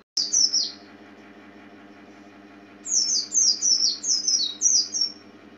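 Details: Zosterops palpebrosus, the Oriental white-eye, uttering one pair of high falling chirps after a click, then a quiet gap, then a lively run of about six thin downslurred notes; low droning hum throughout.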